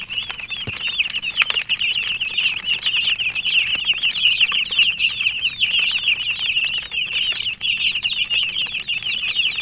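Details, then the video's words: Domestic chicks chirping in a busy group: an unbroken wash of high, sharp peeps, many short downward-slurred notes overlapping, with a few clicks and scratches. "Murgi chicks Chirping sounds"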